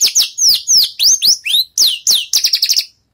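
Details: Javan bush lark, done moulting, working through its songs: around a dozen loud descending and rising whistled slurs in quick succession, ending in a rapid twittering run of short notes.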